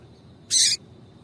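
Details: Female double-collared seedeater calling to stir a male into song: one sharp, harsh high note lasting about a third of a second over a quiet background.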